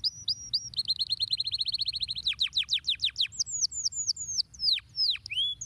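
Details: Canary song, long and elaborate: a few high whistled notes, then a rapid rolling trill of about twenty even notes, followed by sweeping descending whistles and sharp down-slurred notes, over a faint low hum.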